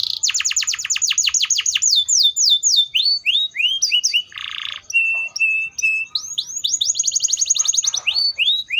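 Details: Canary singing a varied song: fast series of descending whistled notes, then rising slurred chirps, a brief harsh rasp, steady flat whistles, and another quick run of repeated downward sweeps.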